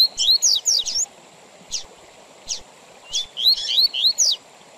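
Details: Tui Tui Zel Zel song of a Double-collared seedeater, with pauses for training young birds and for tournaments: a fast cluster of rising whistles and buzzy strokes, three separate sharp notes, then another rapid cluster.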